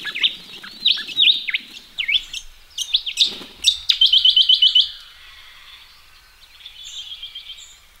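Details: Ring-necked parrots washing in a pond in Australia before starting their day: varied squeaky chirps, then a fast burst of about seven sharp repeated notes, fading into softer distant chatter.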